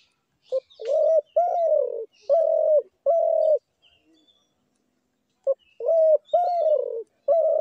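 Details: A dove, possibly a spotted dove, gives soft, hollow coos in a short run of four or five notes, pauses, then repeats the phrase; otherwise quiet.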